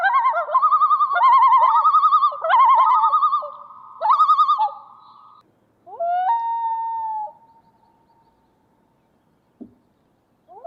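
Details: Common loon, a northern wilderness lake bird: several bursts of rapidly quavering, wobbling notes over four seconds, then after a pause a rising, long, steady, mournful held note that fades out, with a brief faint sound near the end.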